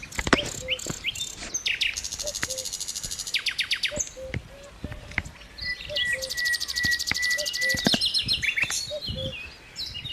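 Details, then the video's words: Cuckoo, known locally as pepuk, in Dersim: soft paired low 'cu-coo' notes, the second slightly lower, repeating about every one and a half seconds beneath louder, busy high chirping and trilling songbirds. "Pepuk sesi guguk kuşu"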